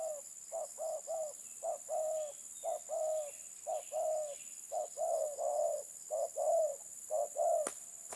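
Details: Terkukur, or spotted dove, cooing in a brisk series of short paired notes and longer coos, about one per second, with two sharp clicks near the end and steady hiss.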